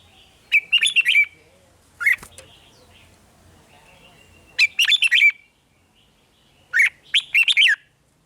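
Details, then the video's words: Red-whiskered bulbul singing in the 'rik' style, played to excite caged birds: three bursts of bubbly, chirping notes, each about half a second of quick warbled syllables, separated by pauses of two to three seconds. "เสียงนกกรงหัวจุก ร้อง ริก เปิดให้นกฟัง ยั่วให้นกคึกจัด"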